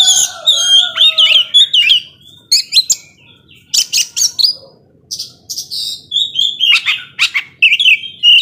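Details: Oriental magpie-robin in full gacor ngobra song, meant to rouse slow-tempered rivals, delivering clear whistled notes, rising slurs and harsh clicks in short bursts separated by brief pauses.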